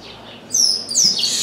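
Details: Chestnut-capped blackbird perched in an orange tree, singing a lot after landing suddenly near a window: after a faint start, high bright whistled notes, a sharp descending slur and a rising note, with soft background noise.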